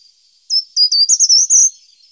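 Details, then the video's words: Short-toed treecreeper song: a brief, high, thin phrase of quick sliding notes that rises slightly and runs into a fast, trilled ending, about 1.2 seconds long, against a quiet background. "Canto del Agateador común (Certhia brachydactyla)"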